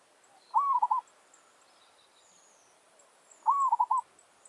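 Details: Village zebra dove singing as a lure so wild doves come to challenge it. Two phrases about three seconds apart, each a rising-falling coo and two or three quick rolled notes, over a quiet background.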